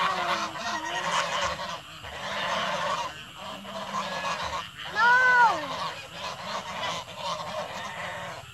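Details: Goose in the evening giving a single loud, arched nasal honk about midway, rising then falling in pitch, amid softer overlapping honking, background chatter and a constant low hum.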